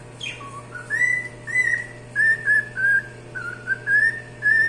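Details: Singing cockatiel produces a brief high downward note, then a row of clear whistles, mostly level and some gently rising, repeated about twice a second against a constant low electrical hum.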